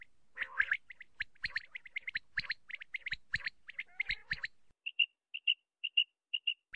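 Common quail: a dense run of sharp, clipped chirps, then clear liquid notes in quick pairs and triplets, each group about half a second apart.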